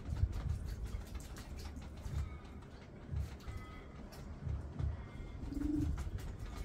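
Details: Male Common Bronzewing flirting with a female in a backyard, phone-recorded while a young Red-capped Parrot bathes nearby: deep, low growling 'oom' pulses repeated about every second, with faint higher bird chirps in the background.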